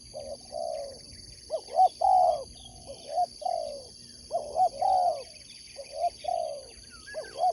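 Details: Competition spotted dove singing a repeated cooing phrase about every two and a half seconds: a couple of short upswept notes, then one or two longer, fuller coos. A constant high-pitched electrical whine sits in the background.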